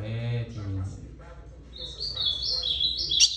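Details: Ultramarine grosbeak singing a short phrase of high, quick chirping notes that step upward in pitch during the second half, after a man's voice talking at the start.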